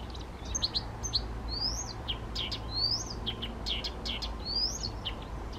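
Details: Male Blyth's reed warbler from Bukovský pond near Těchařovice, Czech Republic, 19 June 2014, singing spontaneously: rising slurred whistles mixed with clicks and chattering notes, the rising whistle returning every second or so, with faint low hum beneath.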